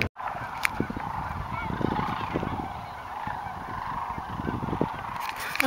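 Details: Thousands of sandhill cranes feeding in empty corn fields in the evening, a dense continuous chorus of overlapping rolling, honking calls from many birds at once, with scattered louder notes standing out over steady background noise.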